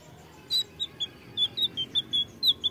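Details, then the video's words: Blue flycatcher giving a quick run of about eleven short, sweet, high whistled notes, some slurred, delivered in under three seconds over a faint hiss. "Tledekan biru Ampuh! bahanan langsung nyaut!!"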